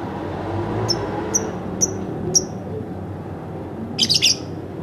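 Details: Pet lovebird at home gives four thin, high, clipped whistled notes about half a second apart, then a rapid, shrill, stuttering chatter of several notes. Quiet room hum runs throughout.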